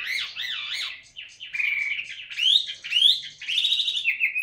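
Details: Caged, tame Chinese hwamei practising its song, looping wavy whistled phrases that rise and fall, then sharper upward-sweeping whistles in a varied, loud sequence.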